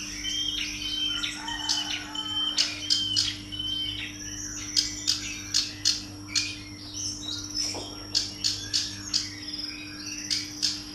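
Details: Female black-browed reed warbler calling: short, sharp, high chirps. Scattered at first, then repeated about twice a second through the second half over a steady low hum.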